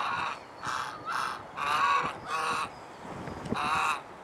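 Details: Domestic swan goose, Anser cygnoides domestica, from Alkmaar, Holland: a run of loud, rasping, trumpet-like honks, six in just over four seconds, uneven in length and spacing, with a faint knock near the end.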